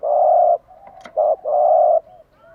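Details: Spotted dove in morning song for stimulating caged doves: a long deep coo, a short coo and another long coo, soft and breathy, followed by a faint trailing warble and a brief click.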